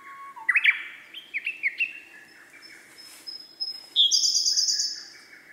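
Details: Male Siberian blue robin singing: several sharp upslurred whistled notes in a stepped series, then a fast, very high trill and a lower rattling ending; clean recording with little background noise.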